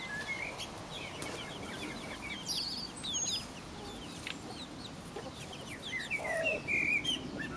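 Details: Four-week-old Pekin bantam chicks feeding in a garden alongside their silver laced Wyandotte mother; scattered high chirps and peeps, irregular, plus a longer whistled note and a lower buzzy call near the end, against background noise.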